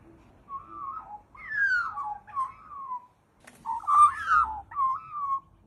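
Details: Crow imitating a dog's voice: drawn-out whistled yelps that slide downward, in two bursts separated by a short silence, loud and close.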